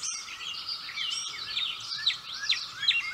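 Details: Gray catbird singing energetically at close range, tolerating a nearby person; a quieter, rambling stream of varied chirps, slurred notes and squeaky elements, with a steady hum and background noise underneath.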